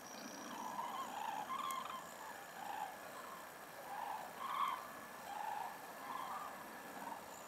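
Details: Common cranes give rolling, trumpeting calls in overlapping bursts about once a second, like a distant flock passing over, with faint steady hiss; recorded from a home attic in Ljubljana, Slovenia, 26 February 2024.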